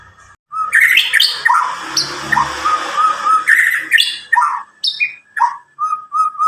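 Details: Young Medan white-rumped shama, about nine months old, sings dense chattering and whistled phrases over a broad noisy background, ending with repeated short flat whistles.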